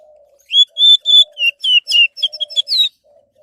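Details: Orange-headed thrush singing, a recording used as a lure to get other birds singing: a burst of about ten sharp whistled notes, some level and some dropping, over a faint low hum.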